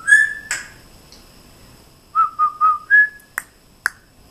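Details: Pet African grey parrot indoors, mimicking; a clear whistled note, then four short level whistles in a row, the last slightly higher, followed by two sharp clicks.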